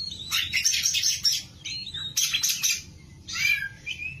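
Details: Kacer, an oriental magpie-robin, singing gacor style: dense, scratchy high chirps and trills in two loud bursts with brief rising whistles, over a steady low hum.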